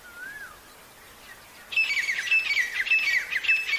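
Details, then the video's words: Wild partridges in the jungle, described as very healthy: after a quiet start with one soft slurred whistle, harsh rasping notes with clear high ringing tones begin and repeat rapidly, about twice a second, to the end. "jangli teetar ki awaaz"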